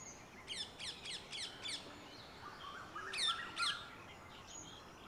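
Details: Red-vented bulbul in its natural garden habitat in India: a quick run of five sharp, repeated chirps, then after a pause two louder, richer notes, with faint other birds behind.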